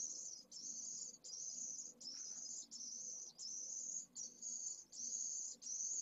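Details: Pallid swift chick, only hours old, from a second clutch, begging vigorously at its first feedings in a nest at Esclavas de Jerez, Jerez de la Frontera, 2022: very high, thin, hissing trills in bursts of about half a second, repeated nearly without pause.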